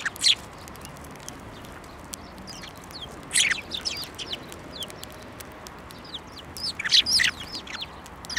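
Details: Several sparrows come to be fed near flowering rapeseed in a field at a Tenmangu shrine on 9 February 2024, giving bursts of sharp, high chirps in three clusters a few seconds apart over quiet background noise.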